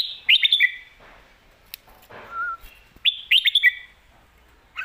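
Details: Red-whiskered bulbul, a caged professional competition bird, alternating the lak wai and mae bot song styles: two bursts of quick, bright warbled notes about 2.7 seconds apart, with a faint lower whistle between them.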